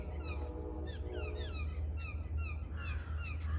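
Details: Blue jays from a family of six gathered at dawn for peanuts, crows also present. Evenly spaced falling whistled notes repeat steadily through the stretch, with a low humming buzz underneath in the opening second.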